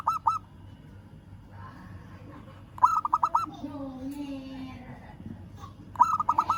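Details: Local zebra dove calling a rival gives three bursts of fast stuttering coos, with a low steady tone heard between the second and third bursts.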